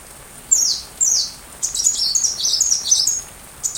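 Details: Sunbird singing, recorded as tutor material for a white-rumped shama; two sharp descending slurs open, followed by a busy, high-pitched chattering run of quick notes.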